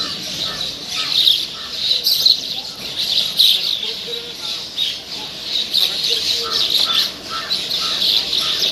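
Bank mynas give harsh, grating chatters and squawks in quick, overlapping bursts about every second, with a few softer whistled notes mixed in.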